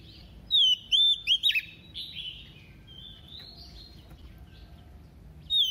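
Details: Female decoy Oriental magpie-robin singing double-voiced phrases to excite males: a quick burst of ringing whistles and sharp flicks, then quieter drawn-out whistles and silence before a final loud note.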